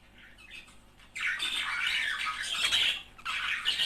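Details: Budgerigar couple singing to encourage mating; soft chirps, then loud continuous scratchy warbling with squeaks, a short pause, and more warbling.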